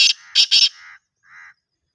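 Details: Black francolin call: one short harsh note, then two loud rasping, buzzy notes in quick succession, followed by softer fading tonal notes.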